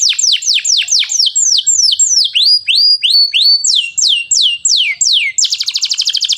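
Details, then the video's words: Gacor canary delivering a cengkok mewah song: a long series of loud, sharply falling whistled slurs repeated about three per second, varying slightly in pitch, ending in a fast, high, buzzy trill. "Canary AF gacor cengkok mewah"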